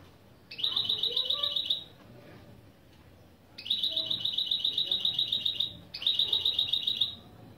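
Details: Three bursts of fast, ringing, evenly repeated trill notes from a goldfinch × canary mule, the opening phrases of a song lesson, with short quiet gaps between them.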